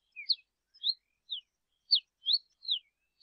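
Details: Soft song variation of the Yellow-billed cardinal: thin whistled slurs at a high pitch, six or seven short notes spaced irregularly over three seconds, quiet and clean.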